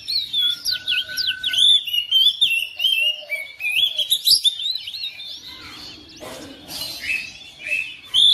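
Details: Home-kept oriental magpie-robin joining in after hearing another bird, producing loud varied phrases of whistles, upslurs and chatter, with a steady lower whistle behind and some rustling noise near the end.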